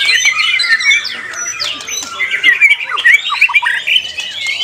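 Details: White-rumped shama in a singing contest: a fast, varied stream of whistled and chattering phrases with sharp upward and downward sweeps, dense and loud throughout, with other birds' calls mixed in.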